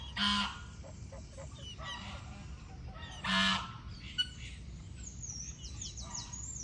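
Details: Farm goose giving two loud, brassy, nasal honks about three seconds apart, with softer honk-like notes in between and high thin chirps of small birds near the end.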